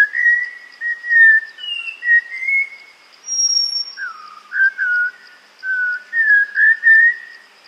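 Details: Malabar whistling thrush at a water hole in Tamhini forest, Western Ghats, in hot May, where several birds come to cool off. It gives clear, human-like whistled phrases that slide and waver, over a steady high insect drone.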